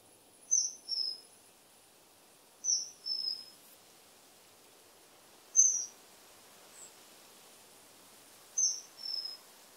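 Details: Common kingfisher: sharp, very high whistles, usually doubled with the second note slightly lower, given roughly every three seconds; one faint extra note, otherwise quiet with light hiss.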